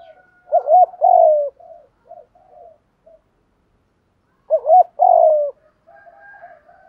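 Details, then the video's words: Decoy spotted dove calling to bring in wild doves: two well-spaced phrases of a quick doubled coo and a long dropping coo, with soft short murmurs and a faint whistle after. "tiếng chim cu gáy kích bổi nhanh nổi rất hiệu quả/ tiếng chim cu gáy mồi gáy giọng hay nhất"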